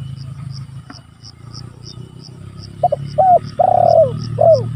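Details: Spotted dove calling to challenge rivals, played as a lure for trapping and as a training recording. Two short coos, then a long sustained coo and a brief closing coo, all in the latter half. Rapid faint high ticks and low rumbling continue underneath.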